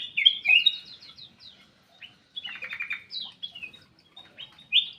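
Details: Black-capped bulbul kept in an aviary, singing quick chirpy phrases of bright whistled notes and rapid twittering runs, loud at the start and end with quieter chatter in between.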